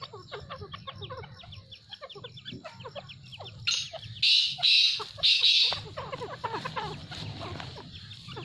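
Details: Grey francolin pair in breeding season: three loud, harsh, high notes repeated about half a second apart in the middle, set against a busy background of many softer clucking and chattering birds.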